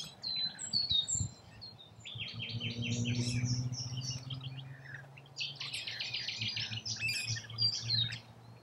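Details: Rainbow lorikeets feeding in Australia: bursts of harsh, screechy chattering calls from several birds overlap, easing off in the middle, with a low rumbling hum beneath for a few seconds.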